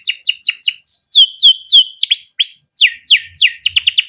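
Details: Canary song for training young canaries to sing, a run of quick downslurred whistles repeated several times a second, a sweeping upslur, then fast clipped chirps.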